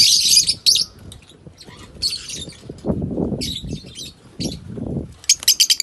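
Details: Pet African lovebirds in Kannur giving harsh, high screechy chatter in repeated bursts, alongside clattering and rustling noise in the cage.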